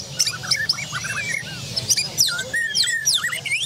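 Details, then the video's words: Borneo-type white-rumped shama, caged birds at a community bird-song gathering in Java, with several birds singing at once: loud whistled notes, sharp upslurred and downslurred chips and rapid high trills overlapping, with faint crowd noise below. "Murai Borneo Gacor"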